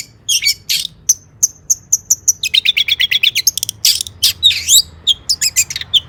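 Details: Long-tailed shrike in lively, varied song used to lure shrikes into singing, mixing sharp single chips with fast runs of scratchy notes and twisting whistled phrases.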